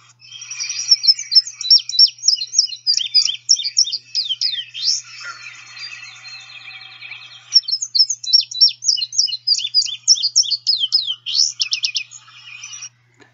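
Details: Indigo Bunting song, with all notes given in pairs: a bright, high, rapid song in sweeping phrases, two songs in a row with a short pause.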